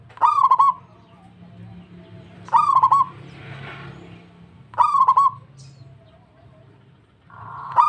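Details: Local zebra dove answering another, delivering four clipped, pulsing cooing phrases about two seconds apart; a soft rushing noise swells between the second and third, and a steady low hum sits beneath.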